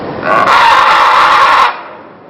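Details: A scarlet macaw (Ara macao) gives a single loud, harsh, grating scream lasting about a second and a half, then quiet.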